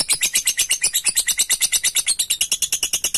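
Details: Lovebird provoked into long ngekek chattering, calling a rival: rapid, even string of harsh high chips, about three per second, steady and unbroken, indoors.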